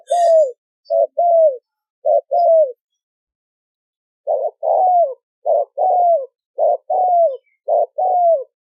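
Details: Clean recording of a spotted dove: clipped low coos paired with longer drawn-out hoots, a short silent gap, then the rhythmic series resumes at about one phrase per second.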